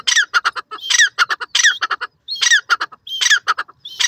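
A francolin gives loud, harsh, rasping notes in rapid clustered bursts, each phrase a scratchy ringing rattle, with brief pauses between groups.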